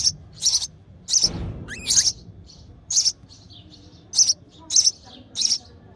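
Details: Hungry sparrow nestling chirps insistently as its mother feeds it, a string of sharp high notes with a brief rising slur and a low rustle near the start.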